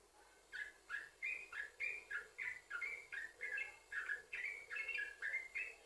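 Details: Yellow-vented bulbul song used to trigger singing in other bulbuls: a rapid series of bright, bubbly notes bouncing up and down, a few each second.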